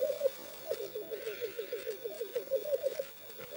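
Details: Black grouse cocks at a lek arena, courting females: close, rhythmic bubbling rookooing in quick pulsed phrases, with a faint hiss in the distance.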